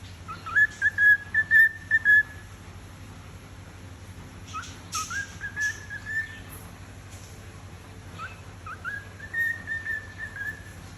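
A cockatiel sings in clear whistled phrases, short notes rising then holding level, with pauses between bursts.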